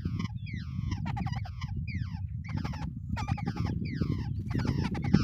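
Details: Wild babblers, both birds at the nest together, produce a lively run of squeaky, falling, nasal notes and harsh chatters in uneven clusters, with low rumbling noise throughout.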